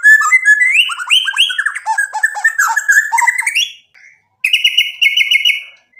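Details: White-rumped shama singing to make a rival respond: an intricate jumble of quick chattering, slurred whistles and mimicked-sounding phrases, a short pause, then a buzzy rattling trill.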